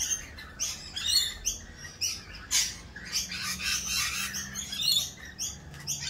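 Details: Rainbow lorikeets during mating season, raucous while dancing; continuous high, harsh chattering and screeches with a steady faint low hum beneath.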